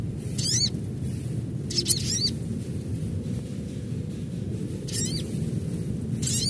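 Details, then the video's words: Adult crimson sunbird calling: four short, piercing high chirp bursts with quick wavering sweeps, separated by gaps of one to three seconds, over a steady low background noise. "Panggilan SOGON Dewasa Asli"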